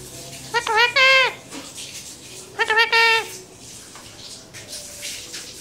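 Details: Parrot talking in Urdu/Hindi: two short, nasal, voice-like utterances with stacked harmonics, near one second and three seconds, then faint background noise.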